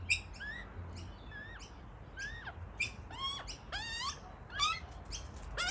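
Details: Two juvenile Australian magpie siblings, brought over by their parents in search of food, beg while already fighting each other; one gets fed more than the other. Their calls are repeated squeaky, wavering whistled notes with a faint low hum beneath.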